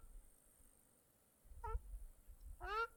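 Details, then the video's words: Birds at a small Mongolian lake in July: two harmonic, nasal calls, the first short and faint, the second louder and slightly rising, with low rumbling water or wind noise beneath. "Birds Singing by Small Lake"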